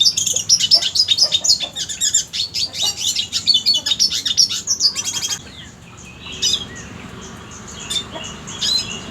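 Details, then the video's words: Red siskin song for training birds to compete: five seconds of continuous rapid, high twittering and trilled chirps, then quieter with a few scattered short high notes. "MASTERAN red siskin cocok untuk isian burung lomba"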